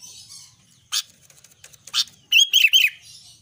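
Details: Albino sooty-headed bulbul in lively song: two sharp clicks, then one short phrase of three rolling, liquid whistled notes.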